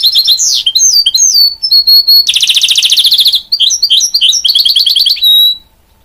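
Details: Goldfinch and canary cross singing strongly, mixing slurred whistles, a long buzzy rattling trill in the middle, then quick chattering notes and a final drawn-out whistle.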